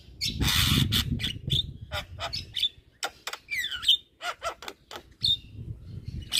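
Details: Tutor recording of a Javan myna in full, nonstop chattering song: opens with a rough burst of noise like flapping, then sharp clicks, high whistles and a sweeping slurred note, with varied notes packed closely together.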